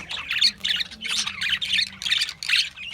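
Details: Australian budgies giving short harsh squawking bursts, each a scratchy burst of chatter, about seven in three seconds with brief pauses between.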